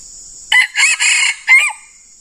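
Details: Red junglefowl crow during a decoy session in which a decoy bird meets a very fierce wild male. A short, harsh crow of four clipped parts lasts just over a second, over a steady high insect drone.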